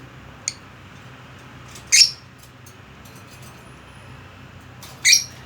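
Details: Pet budgerigar indoors, making a few isolated high, rasping squawks about three seconds apart, with a faint tick before them and low background hum.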